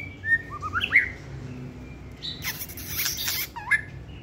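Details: Competition-type white-rumped shama kept caged, singing while hand-held: a few mid-pitched whistled notes and slurs, followed by harsh broadband rattling bursts and a final short whistle over steady background hum.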